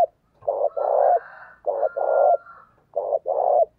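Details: A repeated lure coo from a spotted dove, used to stir other males. Three paired phrases, a brief coo then a drawn-out warbling purr, come at steady intervals. A faint thin whistle is heard above, with soft low rumbling beneath.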